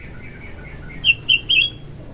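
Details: Sooty-headed bulbul singing in the morning: three short, bright whistled notes in quick succession after a quiet start, over a faint low background hum.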